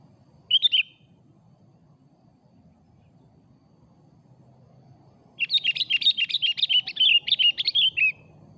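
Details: Sooty-headed bulbul singing in the afternoon as a lure: a single brief whistled note, a long pause, then a lively run of about a dozen quick, bubbly slurred whistles, with a steady low hum behind.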